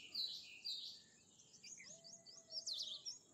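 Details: Bimaculated lark making buzzy high chirps followed by a quick series of short, clipped notes. A soft, level, low whistle runs through the middle.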